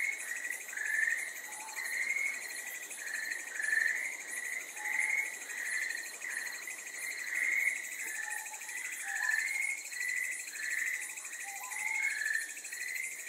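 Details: A Ryukyu scops owl chick on Amami Ōshima, Japan, gives short, mid-pitched chirping notes, roughly one every second or so, over a steady high insect trill throughout.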